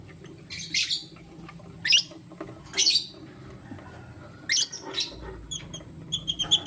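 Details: Lutino lovebirds in the morning, a male choosing between two females, give shrill, scratchy chirps in short separate bursts about once a second, with a quick run of tiny peeps at the end.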